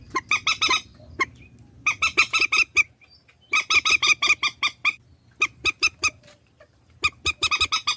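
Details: Swamphen lure recording: repeated bursts of sharp, rasping, honking squawks in fast sequences, with short gaps between bursts and a steady low hum underneath.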